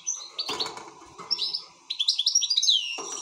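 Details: European goldfinch singing excitedly with short chirps and twittered notes, ending in a rising, slurred whistle.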